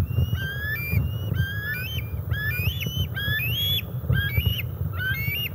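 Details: Two juvenile bald eagles over 17 weeks old, hanging out together at the Decorah North nest area on July 27, 2021, on an eagle cam; thin, high, stepped whistled notes repeated in quick bursts over a steady low rumble.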